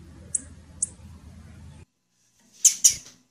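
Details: Female blue-black grassquit (tiziu) calling: two faint, very high, thin chips about half a second apart over a low background hum, then, after a short silence, two louder, sharper high chips in quick succession.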